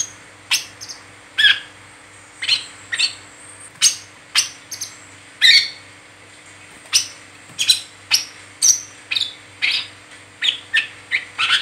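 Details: Brown-throated sunbird (kolibri kelapa, wiceh) in nonstop 'ngeriwik' chattering, meant as a lure to get other sunbirds singing: sharp, high, separate chirps and ticks, roughly twenty in under twelve seconds, at irregular intervals, over a faint steady hum.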